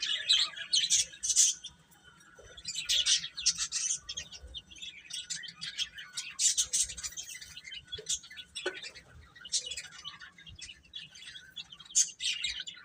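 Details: A group of young chicks peeps continuously, with high overlapping cheeps in irregular bursts and one short dip in activity near the start.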